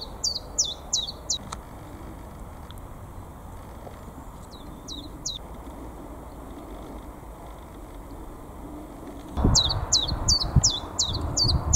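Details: Common chiffchaff in full song on 22 March 2022 in North East England, likely an early returning migrant with several birds present: bursts of high, sharp notes alternating in pitch, about three per second, over low wind rumble and distant traffic.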